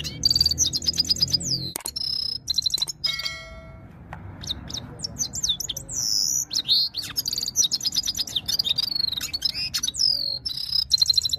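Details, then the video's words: In Saira-style goldfinch song, a red-fronted serin delivers long, energetic runs of high tinkling twitters and rapid trills. A brief pause comes near two seconds, and a few steady pure tones sound around three seconds. "red fronted serin powerful voice of gold finch"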